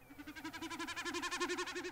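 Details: Male common snipe drumming in Shetland, a courtship or warning display usually heard around dusk: a fast, pulsing, hollow bleat of about eight to ten throbs per second, swelling in loudness, made by air over two outer tail feathers held out in a shallow dive.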